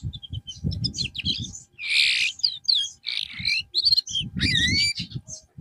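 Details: Canary kept in therapy after going off form sings a dense varied song of trills, buzzy rasps and sweeping whistles, with low thumping background noise beneath.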